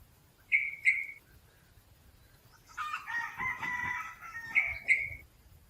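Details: Red junglefowl gives a hoarse, clipped crow of about a second and a half, perched in trees in forest, with pairs of short bright whistled notes just before and after.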